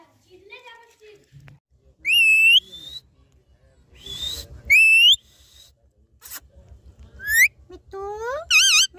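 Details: A talking pet parrot gives a series of loud, clear whistles: rising, slurred notes repeated several times, ending in a quick wavering warble, with softer murmured sounds and quiet pauses between.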